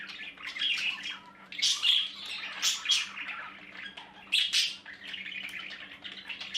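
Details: Baby budgies in their nest give hoarse, high chirps in loose bursts about once a second, with softer stretches between them and a low hum behind.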